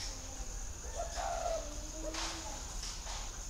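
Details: Spotted dove delivering one drawn-out, mellow coo phrase, a low hoot followed by a longer, louder tone. A high, steady insect whine is heard underneath.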